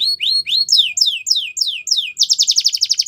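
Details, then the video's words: Belgian canary singing, used for training young canaries: a run of high, falling slurred whistles, six or seven in a row, then a fast, even, buzzy high trill at the end. "Belgian Canary Singing"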